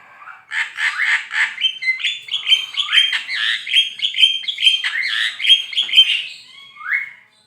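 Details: Javan myna in sustained song for training songbirds: rapid scratchy chattering blends into a long, evenly pulsed series of whistled and buzzy notes, ending with a single rising slur.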